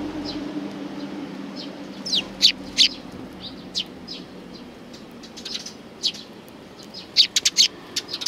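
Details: Sparrows arriving to be fed on a shrine approach road at Tenmangu, 29 May 2020. Scattered, sharp, high chirps come from several birds in short bursts, with quiet gaps and a soft low background hum.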